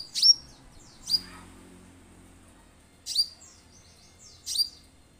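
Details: Orange-headed thrush sound used to coax birds into singing: four loud, high, sharply slurred notes spaced one to two seconds apart, the quiet between them nearly clean apart from a faint low hum.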